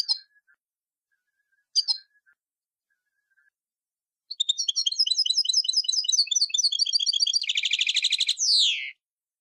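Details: Tunisian goldfinch performing an old song in the Sahnoun of Sfax style: two short chips, then a long rising-intensity phrase of rapid liquid twitters turning into a dense buzzy trill and closing with a descending slurred whistle.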